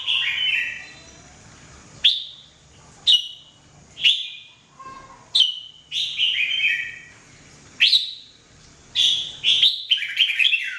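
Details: Red-whiskered bulbul, known as jambul, in daily singing for training; short loud whistled phrases with sharp starts and falling slurred tails, repeated roughly once a second, some pairs of notes run together.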